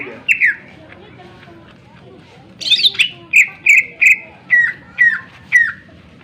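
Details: Greater green leafbird song used to trigger singing in other birds: one sharp note, a silent gap, then a harsh burst followed by a series of clear downslurred whistles slowing near the end.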